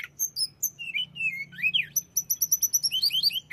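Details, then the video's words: Hill blue flycatcher song meant to rouse other tledekan to anger. Sweet descending whistled notes give way to a quick, evenly spaced series of sharp high chips, then fast slurred notes. "setelah dengar ini tledekan jenis apapun akan cepat esmosi"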